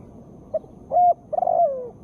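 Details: Spotted dove female call meant to stir sluggish birds into song: a short note, a flat held coo, then a rolling, slightly tremulous coo sliding downward at the end.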